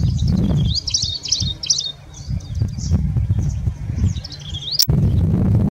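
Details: Rufous-fronted prinia in India, singing and displaying, gives a run of thin, high chirping notes, quick and uneven, over heavy low wind rumble and a sharp click near the end.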